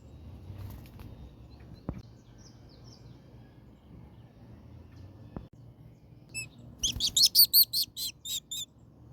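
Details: A tropical kingbird (Tyrannus melancholicus) in Colombia gives a quick burst of about eight sharp, high, thin twittering chips in two seconds, preceded by a quiet low hum and a couple of soft clicks.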